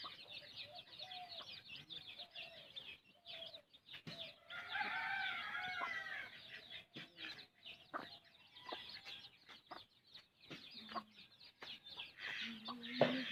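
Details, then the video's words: Mother hen feeding her chicks, giving low soft clucks among constant high chirping of the chicks, some clucks in quick runs, with faint background hiss. "A hen feeds her chick"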